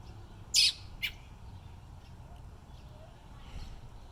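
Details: An American robin nestling calling for its mother gives two brief, high, scratchy chirps about half a second apart, followed by quiet background hiss.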